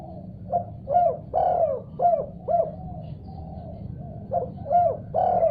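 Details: A spotted dove calls eagerly after hearing another call, in repeated phrases of short hollow coos with one longer falling note, roughly two notes per second. A steady low hum runs underneath.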